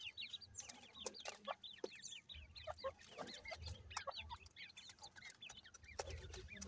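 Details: Grey francolin chicks feeding, with dense, rapid high chirps and short downslurred peeps overlapping throughout, some louder clucking notes, and a low rumble of background noise beneath.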